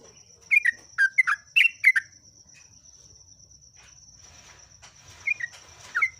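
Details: Trucuk, the yellow-vented bulbul, giving a few brief clusters of bright, bubbly whistled notes separated by a quiet stretch, against a constant high thin drone.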